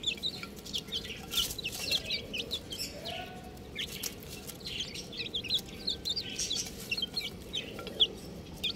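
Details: Chicken chicks giving a continuous stream of high, thin, downward peeps, many birds calling at once, with soft scratching underneath.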